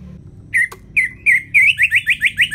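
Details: Orange-headed thrush, northern Bali around Singaraja, ngeplong style tutor song meant to push lazy birds to sing: a few separate whistled notes, then a fast even series of short rising slurred whistles repeated several times per second.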